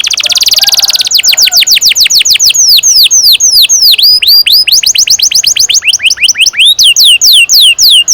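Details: Canary training song for young birds, opening with a buzzy trill then many fast, clear down-sweeping whistles repeated several times a second, varied with rising slurs.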